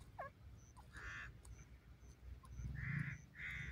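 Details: Grey francolin calling in a forest during the first days, with three loud, harsh, hoarse bursts spaced irregularly and thin, high chirps from other birds in the background over low rumbling noise.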